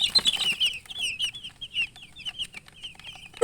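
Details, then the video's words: Newly hatched chicks peeping loudly and continuously, high downward-sliding chirps several times a second, starting with a louder burst and ending with a knock. "Tot Murgi chicks chirping sounds Just Born Baby Gallina FRACAS Chicks Piar Loudly Sound"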